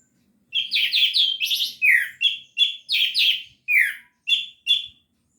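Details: Gacor teler singing from an orange-headed thrush: a dense, unbroken run of rich, rapidly varied whistles and chattering notes, loud and clear against near silence.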